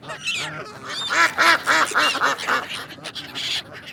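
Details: Duck giving a rapid run of nasal quacks, about three or four per second, loudest in the middle and tailing off, with other faint calls behind.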